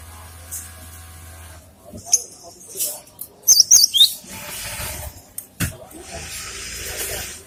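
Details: Song of a cinereous tit, played as a lure and as tutoring material for other birds: a quick cluster of sharp, high whistled notes, with scattered clicks and a low hum before it.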